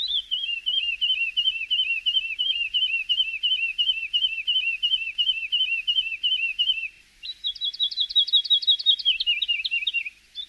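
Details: Javan bush lark song used as a training recording for other songbirds: about seven seconds of rapid, evenly repeated high chirping notes, then a faster buzzy trill of stacked notes that drops slightly in pitch near the end.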